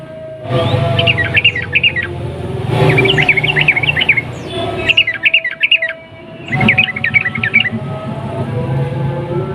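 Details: A sooty-headed bulbul gives a long, rapid 'ropel' song with clicking notes, meant to provoke other bulbuls to sing. Four short, bubbly phrases of quick warbled notes are spaced about two seconds apart over a steady low hum.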